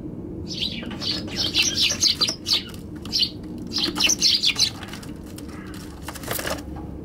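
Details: Eurasian tree sparrows at a balcony on 15 January 2021, before suddenly fleeing: rapid bright chirps in dense clusters over several seconds, then a pause and a sharp rustle.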